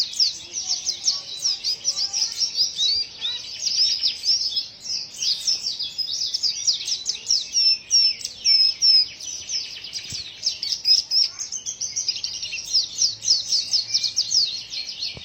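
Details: White-eye with a strange-sounding song, a long sustained torrent of very fast, high chips and trills, occasional clear whistled notes around eight and eleven seconds, continuous throughout with faint low background noise.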